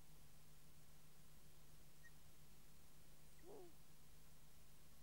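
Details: A long-eared owl calls once at its nest in Kielder, Northumberland, with a single brief descending squeal midway through, picked up by a nest microphone set beside an infra-red camera, against a constant low background hum.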